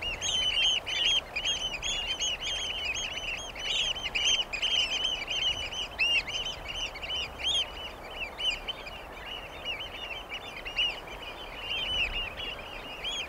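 Eurasian oystercatchers pour out loud, shrill piping notes in a fast, continuous stream, several birds overlapping, over a soft background rush.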